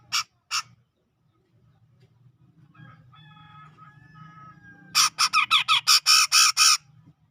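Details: A grey-cheeked bulbul from the tropical forest of Sumatra, around Medan, gives two harsh notes, then soft distant whistles are heard. It follows with a loud, rapid volley of raspy, chattering notes in gacor ngepik fashion.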